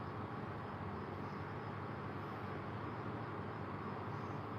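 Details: Steady, dense engine or traffic rumble fills the whole recording with no bird or other animal voice heard.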